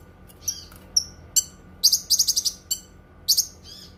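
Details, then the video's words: Cucak kinoi giving varied high chirps and whistles, then a quick burst of five or six chattered notes and a final pair of strong chips. "Suara Kicauan Burung Cucak Kinoi"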